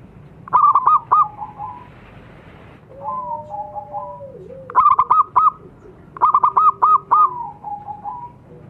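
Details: A local zebra dove (perkutut) used as a lure and master-song recording, said to reliably draw replies, gives three bursts of soft, rolling cooing, each a quick run of stuttered notes easing into a longer level coo.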